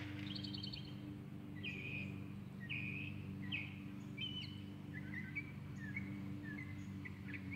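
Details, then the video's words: Northern Mockingbird on 16 October 2022 sings a varied string of short phrases, some repeated two or three times, over a steady low mechanical hum. "Northern Mockingbird"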